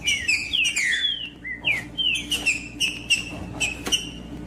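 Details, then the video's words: Trinca-ferro, or green-winged saltator, in song meant to rouse a cold bird into singing: loud descending whistled slurs open the phrase, then shorter clipped whistles follow at a steady pace with occasional sharp ticks. "TRINCA FERRO CANTANDO PARA ESQUENTAR TRINCA FERRO"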